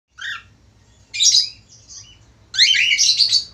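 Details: Male budgerigar, a tame caged Australian parakeet, singing actively: bright, buzzy, high chattering warbles in three bursts separated by short pauses, with a faint low hum of the room behind.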